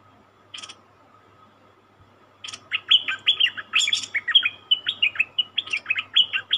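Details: Captive cream-vented bulbul, taken from the wild: a lone sharp note, a pause, then a lively string of quick, slurred, bubbly notes repeated in a steady, rolling rhythm.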